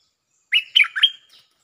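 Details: Bulbul lure song used to attract birds, in the style called 'เพลงจ้าวแบงค์' with doubled notes: a single quick phrase of three bright, warbling slurred whistles, the last note rising sharply, in an otherwise silent background.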